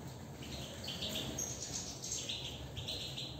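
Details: European goldfinch singing, with quick twittering and tinkling notes in short bursts, some clipped, others slurred, over a steady low background hum.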